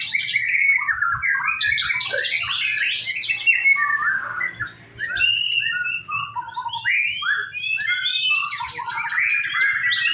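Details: White-rumped shama singing in a simulated singing contest: a rich, varied stream of whistled, warbling and chattering phrases, continuous and loud, sliding up and down without pause.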